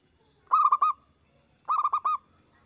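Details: Zebra dove with a strong, big voice, used to stimulate other doves to sing. Two loud bursts of four to five rapid, rolling coos, close-miked and clean.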